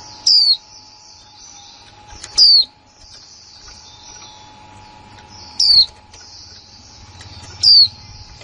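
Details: Newly kept female white-eye, recorded 2020, giving "kick mộc là líu" calls: four piercing high notes, each slurring quickly downward, spaced roughly two to three seconds apart, with a constant electrical-sounding hum behind.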